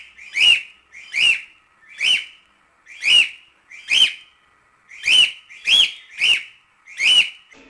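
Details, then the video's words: Cockatiel song for training chicks to sing: a steady series of nine clear arched whistles, each rising then falling, repeated roughly every three-quarters of a second. "CALOPSITA CANTO TREINAMENTO PARA ENSINAR FILHOTES - CANTO DO PÁSSARO CALOPSITA ENSINANDO FILHOTES"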